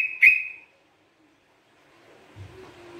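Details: Sooty-headed bulbul in lively song, used as a lure and for training: one loud, clear whistled note that slides slightly downward, followed by a quiet pause and soft low background hum.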